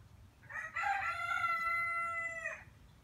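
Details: Rooster crowing: one long, loud, harmonic-rich crow lasting about two seconds, starting with a rough rising note, then held steady and level before cutting off sharply, over a low background hum.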